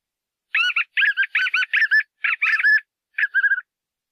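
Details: White-eared puffbird (joão-bobo) delivering a quick series of paired, burry whistled notes in short clusters, trailing off into a few fainter, lower notes at the end; no other sounds are heard.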